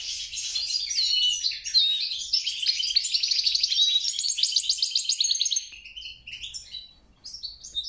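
A goldfinch hybrid delivers a high, rapid, liquid twittering song of tinkling trills and buzzy notes for about five seconds, ending in scattered chirps over a faint low hum.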